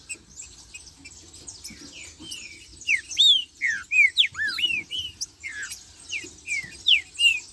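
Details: Marcheando song of a green-winged saltator: after a quiet lead-in, rich whistled slurs come in quick succession, several looping down then up, with brief pauses between bursts and soft twittering behind.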